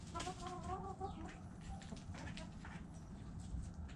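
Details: Chickens clucking: a quick series of short harmonic clucks in the first second, then fading into low background rumble and scattered rustling.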